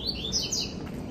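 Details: Captive male Double-collared Seedeater, one of many kept together, singing in cold weather while arguing with a rival bird nearby. It gives a quick burst of high, bright twittering notes, rising and falling, over a steady low rumble.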